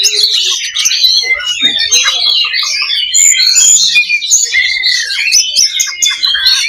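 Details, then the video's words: Oriental magpie-robin (kacer) fighting simulation song used to build a fighter's mental strength: dense, loud, overlapping chatter of high whistles, trills and buzzy notes, continuous with little pause. "SIMULASI LOBA BURUNG KACER || MENAIKAN MENTAL TARUNG / FIGHTER"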